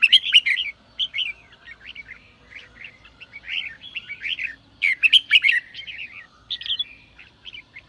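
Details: Red-whiskered bulbul song played to stimulate other birds: bursts of loud chirps opening two phrases, with softer warbled slurs and short whistled notes in between, over quiet low background noise.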